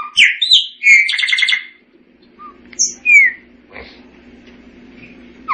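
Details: Chopi blackbird singing: bold slurred whistles and a short buzzy trill, then isolated clear whistled notes spaced by quiet gaps, a low hum running underneath.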